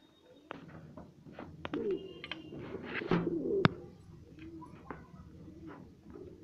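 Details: A breeding pair of satinette pigeons at home, with a throaty warbling coo building near the middle, followed by softer murmurs, sharp cage clicks and a faint whistle-like tone.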